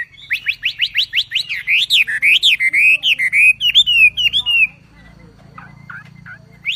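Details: ['Javan pied starling song, recorded as a masteran tutor track with full tembakan bursts: a fast series of sharp, rising whistled notes, then looping slurred warbles that stop abruptly, leaving faint low hum.']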